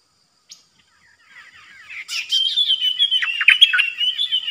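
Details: Streak-eared bulbul, caged new decoy bird, singing on 6 May 2022. Soft rapid chatter builds into a long, loud, bubbly song of fast repeated warbling notes over a sustained whistled line, nearly four notes per second.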